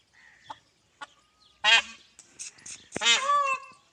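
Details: Indian peafowl peahen calling while searching for a peacock: two loud, harsh, nasal honking calls rich in harmonics, the second longer and falling, following faint clicks and a short thin tone.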